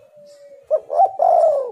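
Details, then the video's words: Spotted dove (tekukur) on a lure recording to set doves calling: after a faint steady tone, one short phrase of a clipped coo, then a longer purring, rolling coo. "tekukur super gacor suara pancingan"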